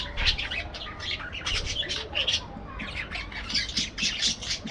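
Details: Parakeets in an aviary give loud, scratchy squawks and chirps in quick clusters, overlapping, over faint background hum.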